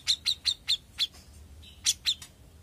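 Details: Young grey-cheeked bulbul uttering several sharp, evenly spaced chirps, a short pause with a faint level tone, then two more chirps.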